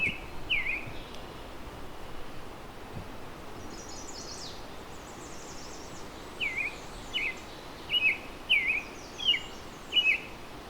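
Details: Late May on the Huron Fringe, eastern shore of Lake Huron, in edge habitat: an American robin sings short, clear caroling phrases, rising and falling, in bursts about every second, over steady wind hiss and distant higher chatter.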